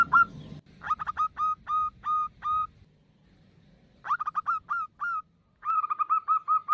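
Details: Lure call of a local female zebra dove summoning a male: separate volleys of sharp, rising cooing notes, each burst of four to six notes divided by quiet gaps, with faint low hum behind.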